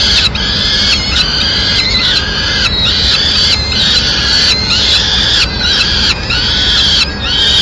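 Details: Peregrine falcon mother bringing a meal to her chicks in Madrid, 29 April 2016; strident, banded cries rise and fall in a steady series, each lasting about a second.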